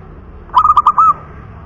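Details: Native zebra dove cooing: one short phrase of four quick bubbling pulses flowing into a sustained mellow coo, over light background noise.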